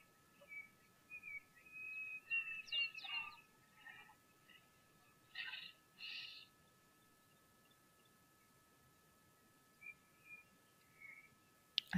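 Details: A Diederik cuckoo calling consistently at a waterhole on 14 December 2023 while an elephant drinks gives a run of high, plaintive whistled notes in the opening seconds, followed by a few harsher bursts and later faint whistles over a low hum.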